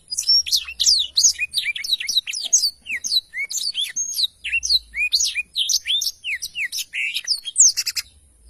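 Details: Long, nonstop stream of high twittering and downslurred whistles from a black-throated canary, sung rapidly for over eight seconds on a recording used to tutor songbirds.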